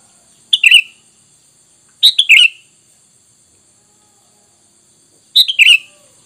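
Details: Lure call of the sooty-headed bulbul, meant to make bulbuls respond: three brief, bubbly bursts of rich quick notes, each under a second, separated by pauses of roughly one to three seconds over a faint steady hiss.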